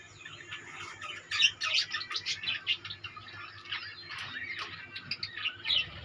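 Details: In a budgerigar colony, many birds chirp and chatter rapidly, with about three short notes a second, sharper squeaks standing out, and a low hum behind.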